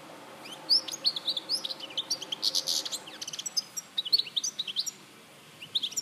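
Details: European goldfinch in Larache, Morocco, 2014, delivering a long string of rapid high twitters and clicks, a harsher buzzy section early on, ending with a quieter pause.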